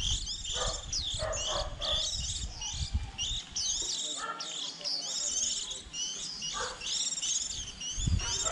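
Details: Fledgling white-eyes early in the season, for trapping: high, thin, sliding chirps and twitters from several birds in quick succession, over a low background rumble.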